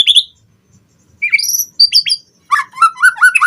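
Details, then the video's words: White-rumped shama singing on a lure recording meant to make captive birds sing and learn fill-in phrases: high rising whistles and sharp chips in short bursts, ending in a quick run of lower slurred notes. "Pancingan Murai Batu Cepat BONGKAR ISIAN Buat Masteran Suara Burung Murai Agar Gacor Full Isian"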